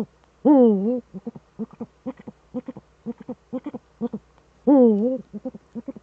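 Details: Calling pair of Eurasian eagle-owls, male on the nest, Eifel, Germany, 7 April 2013, 20:28; a long, harsh, undulating call opens and another closes a series of quick, low, clipped double hoots.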